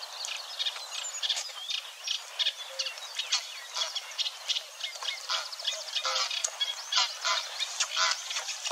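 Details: Eurasian Reed Warbler singing at Wetering West, Overijssel, 6–7 May 2022, burbling contentedly and mimicking a little: a dense, chattering run of short, high repeated notes and scratchy bursts with no pause.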